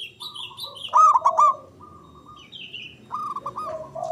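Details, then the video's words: Local Javanese zebra dove with a big, loud, long-breathed voice, used to prompt silent doves to sing: bursts of quick staccato cooing notes in rolling clusters, between softer sustained tones and higher chirps from other birds. "Pancingan Ampuh Pendongkrak Perkutut Bisu🔇 Malas Bunyi🔊 Bikin Rame"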